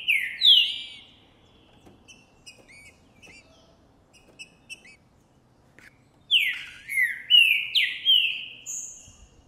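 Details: Green-winged saltator (Trinca-ferro boi) recorded January 2024, singing intensely and displaying after seeing and hearing a distant female: loud rich whistled phrases of slurred notes, one burst then a run of four or five, faint high chirps between.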